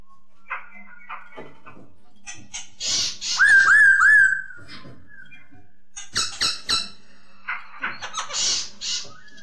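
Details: Masked laughingthrush singing indoors; scattered short chips and harsh bursts, then a clear wavering whistle that rises and falls several times, followed by more bright, clipped notes and buzzy fragments.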